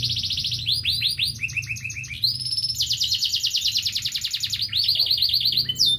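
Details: Local canary singing indoors: long rapid trills and rolling repeated phrases, fast pulsed notes and warbled runs changing every second or so, loud and continuous, low hum beneath.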